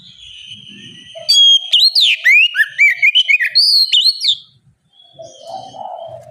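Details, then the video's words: Lure song of an oriental magpie-robin meant to spur other birds of its kind into song: a long steady whistle leads into a fast string of loud, piercing notes that sweep up and down, followed by a brief quiet spell and soft chatter. "Pancingan kacer gacor ngeplong masteran kacer bahan lekas bunyi nyaut!"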